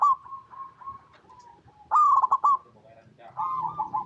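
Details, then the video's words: Local zebra dove in full song, used as a lure to prompt other zebra doves to sing; a mid-pitched cooing phrase with a loud, stuttering burst in the middle, followed by softer drawn-out coos. "Perkutut Lokal Gacor RAJA PIKAT Paling AMPUH | SUARA Bikin Semua Burung Perkutut Langsung Nyaut"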